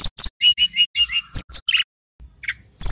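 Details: Persistent song of a male mountain tailorbird from Banyuwangi: a quick series of clear high whistles at one pitch, then sharp rising and falling notes, a short pause and a thin high whistle.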